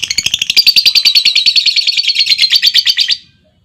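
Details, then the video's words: Lovebird answering a calling female with a long trill: a rapid, buzzy run of shrill notes, about three per second, lasting roughly three seconds before stopping abruptly. "SUARA PANCING LOVEBIRD BETINA, LOVEBIRD LAIN LANGSUNG NGEKEK PANJANG Dengan Suara Lovebird Memanggil"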